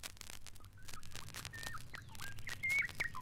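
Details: White-browed robin-chat (Cossypha heuglini) in East Africa singing a bubbling run of clear whistled phrases, sliding up and down, each under a second, over a low hum and clicks.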